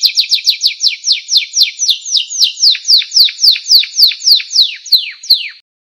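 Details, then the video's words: Song of a canary offered as master audio to teach songbirds: rapid repeated down-slurred whistles, roughly four per second, slowing a little before the phrase ends abruptly in silence. "masteran burung kenari"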